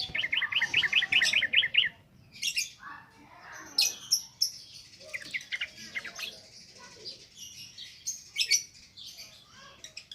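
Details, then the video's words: Lure song of a yellow-vented bulbul for training birds, in 'ngropel ngalas' style: a quick series of identical sharp repeated notes opens, followed by scattered, jumbled high chirps and tweets with short gaps. "SUARA BURUNG TRUCUKAN NGROPEL NGALAS COCOK BUAT PANCINGAN BAHAN"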